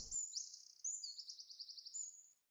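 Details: A songbird singing at night: thin high whistled notes, a gliding slur, then a fast buzzy trill of repeated notes ending in a clear sustained whistle, with a brief low thump at the start.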